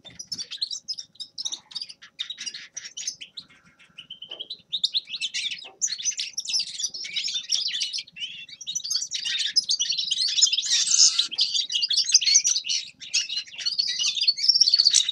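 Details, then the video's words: Grey-crowned goldfinch song starting soft and sparse, then swelling after about five seconds into a continuous, loud, chattering twitter of high, buzzy and tinkling notes. "Седоголовый щегол Carduelis caniceps певчая птица"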